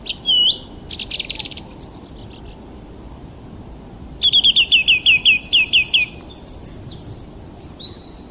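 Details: Bird chirping with varied high notes: sharp bursts and short buzzy phrases, then a run of about a dozen quick, evenly spaced downslurred chirps, followed by thin scattered tweets.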